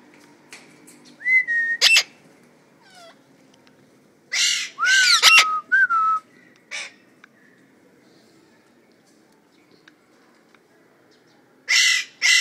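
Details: Household parrots, called talking birds: scattered bursts of loud screechy squawks mixed with short pure whistles that rise or fall, long quiet gaps between, and a final pair of harsh calls near the end.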